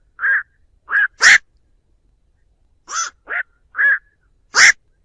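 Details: Flock-gathering call of the black-crowned night heron, recorded clean for use as a trap lure: seven gruff, crow-like squawks in loose pairs and clusters, some rasping and broad, others shorter and more nasal.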